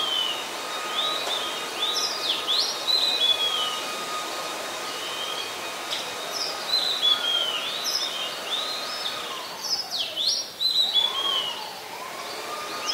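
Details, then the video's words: Oriental magpie-robin song from Ubon Ratchathani, Thailand, recorded 26 December 2020, where the species is a very common resident: bursts of sweet whistles and short sliding notes, fainter, with outdoor background noise and a low sweeping drone near the end. "นกกางเขนบ้าน Oriental Magpie Robin (singing)"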